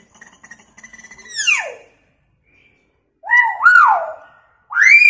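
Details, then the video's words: Hill myna copying sirens and screams as a lure sound for silent birds: a quick run of clipped notes sweeps into a steep falling whistle, then rising-and-falling whistled wails follow, siren-like. "Beo gacor suaranya unik sperti bunyi sirine & teriakan wanita|Pancingan burung beo yg sering diam"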